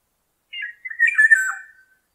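A Black-naped Oriole gives a single harsh, slurred call lasting about a second, a nasal squawk mixed with fluty notes; nothing else is heard.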